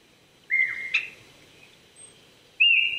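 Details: Japanese thrush at a Saitama prefectural forest in Chichibu, Japan, 800 m up, April 2019 morning: one slurred falling whistle with a sharp upward flick, a pause, then a fresh steady whistle beginning.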